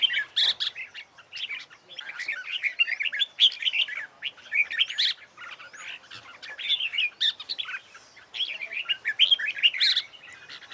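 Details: Red-whiskered bulbul competition song used to train birds for singing contests: dense bursts of bright, chattering whistled phrases repeated almost without pause, several voices overlapping.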